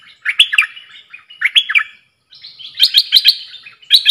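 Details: Caged bulbul of the ดอกแตง song style in a singing duel with wild birds, recorded 3 October 2021: bright chattering phrases of quick whistled notes around the upper-middle pitch range, given in three bursts with short pauses between.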